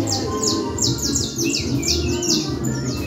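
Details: Canario criollo in Manhattan performing cruzeta-style song: quick run of high descending whistled slurs, about three per second, with a few lower rising-falling notes mixed in, against constant background hum, chatter and soft music.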